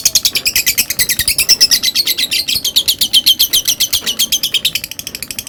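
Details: A lovebird's ngekek chatter, a long unbroken series of fast, piercing, buzzy notes, regular and evenly spaced, running about five seconds before thinning out at the end.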